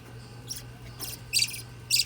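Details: A 9-day-old budgerigar chick gives short, thin, high squeaks in brief bursts over a low hum.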